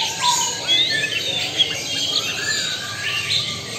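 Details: Lampung-type white-rumped shama pouring out a dense, high-pitched song of rapid tumbling phrases, thin sweeping whistles and buzzy twitters that run together, with a single lower whistle at the start.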